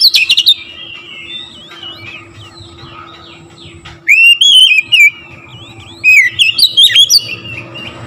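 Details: Oriental magpie-robin song used to provoke other magpie-robins into singing: brief loud notes, a quieter stretch of wavering whistles, then two strong bursts of looping, sliding whistled phrases, with a low steady hum throughout.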